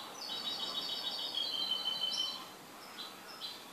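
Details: Goldfinch belonging to its keeper sings a long, even run of high, slightly buzzy notes, then a few separate short chirps, against a constant background hiss.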